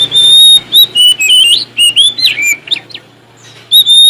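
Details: Oriental magpie-robin from Sumatra singing hard to call out a rival: a rich, fast run of whistled notes, swoops and warbles with almost no gaps, then a short pause and a fresh long whistle, over faint low humming.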